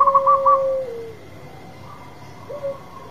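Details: Local zebra dove singing loudly, a champion bird: a rapid burst of low cooing notes over a long level coo that slides down, then a softer coo phrase after a pause.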